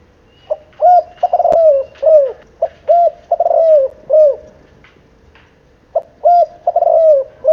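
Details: Seven-month-old spotted dove cooing in the 'kích bổi' style: low, mellow coo phrases with slurred, down-bending notes, given in bursts of several notes separated by short pauses, with a longer gap mid-sequence.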